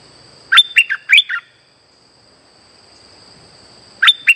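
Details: Streak-eared bulbul lure song used for trapping: a quick burst of five sharp, chirpy notes that slide and drop, a second of near silence, then another phrase begins; a steady thin high whine runs throughout.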